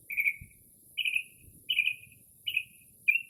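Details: A Northern mockingbird sings near midnight in early spring, copying other birds' calls, recorded from a porch in stillness. Five bright whistled chirps, each slightly trailing off, repeated roughly every 0.7 seconds. A constant thin high hiss sits behind.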